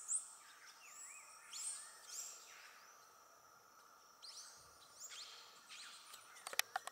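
Yellow-shouldered Grosbeak giving thin, high, sharp notes in short bursts a second or two apart, over a steady insect drone and a few clicks.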